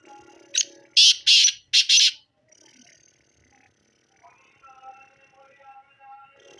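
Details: Black francolin calling: a rapid run of four loud, harsh, grating notes, the last three longer and close together, followed by quieter whistled notes of other birds in the background.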